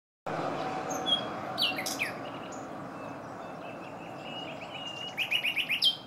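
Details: A male common nightingale sings hidden beside a small stream in Granada province, Spain, on 22 April 2020: varied phrases of sharp high whistles, then a fast run of repeated clicking notes, over steady rushing water.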